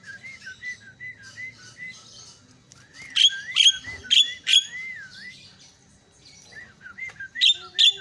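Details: Lure calls of a myna meant to excite a quiet myna: a long string of wavy whistled notes broken by loud harsh rasping bursts, with a swooping whistle between them.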